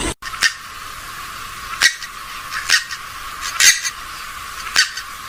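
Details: Swamphen or moorhen calls for attracting birds: brief, scratchy, high squawks, about one per second at uneven intervals, over a faint hiss.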